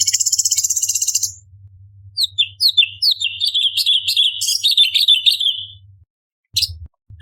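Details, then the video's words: Orange-bellied leafbird song for training competition birds: a dry rapid buzzing rattle opens, then a busy, varied warbling stream of high twittering, slurred notes runs for several seconds before a last sharp chip. "Cucak Cungkok Istimewa ~Tembakan Istimewa Pedas - Burung Masteran Lomba - Orange Bellied Leafbird"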